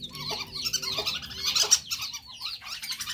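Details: Male whistling duck call used as a lure: dense, overlapping high whistled notes, short and slurred, crowding together over three seconds with a faint low hum beneath.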